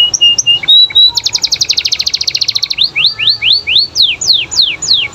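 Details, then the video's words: Canary with flat high notes, a fast dense trill of about fifteen notes per second, then looping whistled sweeps rising and falling, loud and close. "Suara Kenari Gacor Bikin Kenari Lain Terpancing Untuk Nyaut"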